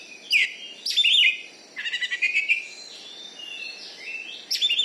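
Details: Champion caged kacer, or Oriental magpie-robin, in Bengkulu, Indonesia: a few sharp chirps, a buzzy rattling phrase and soft thin whistles, with quiet gaps between bursts.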